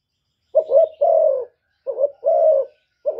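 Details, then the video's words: Spotted dove using the 'thổ thúc' cooing style to provoke wild rivals. Two low phrases, each a brief wavering coo and then a longer descending note, with a third phrase just starting at the end. "cu gáy giọng thổ thúc gù + gáy gọi giọng rất chuẩn để kích bổi"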